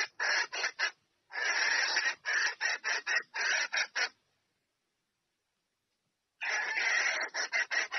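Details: Hen red junglefowl calling a male to mate: bursts of quick, coarse clucking notes, a short run, then a longer run, about two seconds of silence, and the rapid clucks resume.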